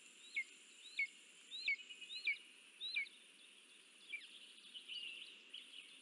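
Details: At a lesser spotted eagle nest during a food delivery, 9 July 2024, high piercing yelps come in an uneven run, with five or six clear notes and then fainter, thinner ones trailing off over steady hiss.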